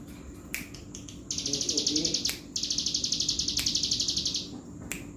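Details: Bar-winged prinia in energetic full song: a long, high, buzzy pulsed trill of rapid even beats, broken once by a short gap, with sharp snapping clicks and a faint low hum in the room.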